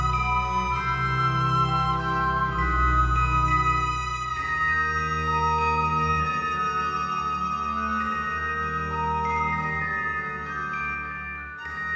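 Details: Gentle instrumental music with chiming mallet tones and sustained organ-like notes plays throughout, with no animal voices.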